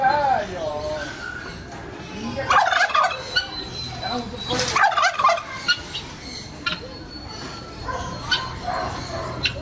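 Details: Turkey kept at a mini zoo in Mysore's Hebbal Industrial Area, with two loud rattling gobble bursts near the middle and fainter calls later, amid background chatter and clicks.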